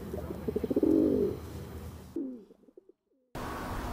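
A feral pigeon gives low, throaty, pulsing coos in a rolling run, then the sound cuts out and returns as faint background noise.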